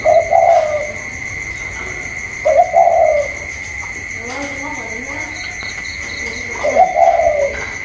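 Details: Inside spotted dove of the còi style contesting a wild outdoor bird, 27 October 2022: three short wavering coos, with quieter lower coos answering in between and a steady high-pitched whine throughout.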